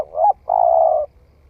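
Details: Young-voiced spotted dove, newly calling and tested in the forest, gives a mellow two-part coo: a brief rising note, a short gap, then a longer sustained hollow tone, clean with no other sounds.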